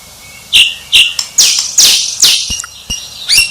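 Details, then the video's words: White-rumped shama uttering high whistled notes and loud harsh rasping bursts, with a few faint clicks. "Suara Murai Batu Sang Juara"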